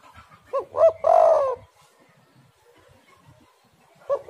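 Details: Lure recording of a spotted dove (tekukur): two quick hollow notes lead into a long, rolling, throaty coo lasting about half a second, then a pause before the next phrase begins.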